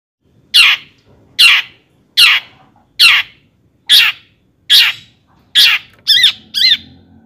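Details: Long-tailed shrike song used as a lure to excite other shrikes into singing; seven harsh, loud rasping notes repeated about every 0.8 seconds, then two quick wavering whistled notes at the end.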